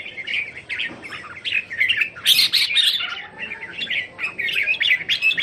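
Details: A group of caged Red-whiskered Bulbuls kept at a house in Thailand, January 2021, pour out mixed liquid warbles and sharp chirps, with a loud clustered outburst midway and a faint whistle underneath.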